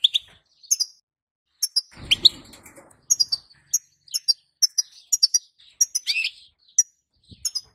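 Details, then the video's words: Calls of a female European goldfinch, meant to make a male start singing: a steady series of thin, high, tinkling chirps, often paired, with one brief rustling noise early on. "بتبتة حسون جديده اتحداك أن يسكت معها غصب عنو سيغرد الحسون"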